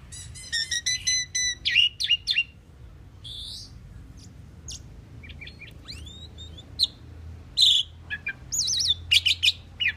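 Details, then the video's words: Common pied myna singing a varied medley: quick repeated whistled notes, chirps and squeaky slurred phrases, with brief harsh notes near the end over a quiet low hum. "Common pied myna bird song /Indian maina sound /mynah singing / starling pied bird"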